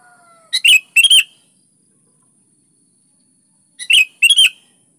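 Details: Vigorous sooty-headed bulbul song of two pairs of quick phrases, sharp chirpy notes running into a slurred whistle, separated by about three seconds of quiet; a faint tonal sound opens the recording.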